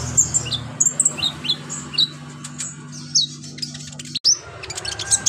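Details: Active olive-backed sunbird, a lively singer used as a training master, giving scattered high squeaky chirps and short downward whistles with gaps between, over a constant low electrical hum and background murmur.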